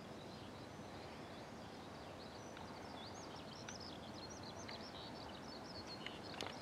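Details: Wild birds outdoors in the early morning, heard faintly: scattered short, high chirps and twitters continue throughout over a steady background hiss.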